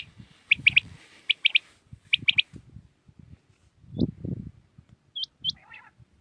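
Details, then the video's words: Early-morning song of a common quail in Pakistan, three rapid clipped notes delivered three times in quick succession, followed by a low thud and a few thin upswept chirps from another bird. "Batair Ki naye Awazay| New Common Quail sounds| Batair Ki Awaz | Quail singing early morning in pak"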